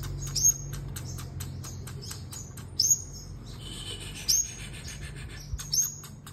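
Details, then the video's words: A sunbird singing in a contest gives very high, thin, sharp notes and quick ticking chips in short bursts every second or two, over a low steady background hum. "Hút Mật 7 Màu Hót Đấu"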